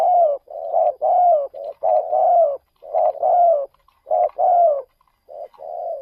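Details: Spotted dove decoy bird taken out to lure wild doves in another province of Thailand; deep, mellow coos in phrases, each with a short note followed by a longer, slightly falling coo, repeated with brief pauses.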